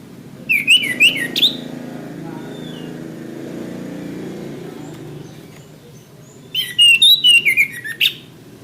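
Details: Orange-headed thrush, training song for caged birds: two short bursts of rapid warbled, slurred whistles separated by several seconds of low traffic-like rumble.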